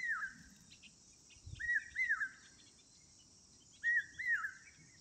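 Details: Outdoor calls of an Asian koel: three paired whistles, each note swooping up and falling away, repeated roughly every two seconds, backed by a steady high-pitched insect chorus and faint low noise.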